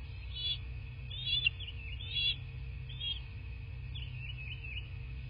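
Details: At a bald eagle nest in southwest Florida, nest camera, 17 March 2024 morning: a run of high, wavering whistled notes, about five in as many seconds, fading into a softer trill over steady background hum.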